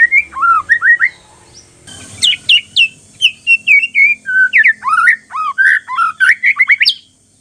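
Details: White-rumped shama song used as a lure to set other shamas singing: a fast run of varied whistled notes, slurred up and down, some sharp rising flicks, in close, continuous phrases with brief gaps.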